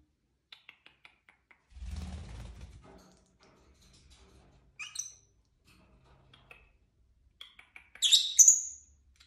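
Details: Pet lovebirds in a home flock playing and fighting indoors: scattered soft clicks and a rustling burst, then two short shrill, screechy chirps, the last one loud and high.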